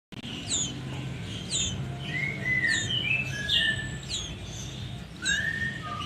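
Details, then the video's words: Sooty-headed bulbul nestling calling. Repeated short, high, downward-slurred chirps alternate with longer clear whistled notes that are level or gently rising, in a steady series over low background hum. "Lucunya Anakan Burung sirpuh cipoh"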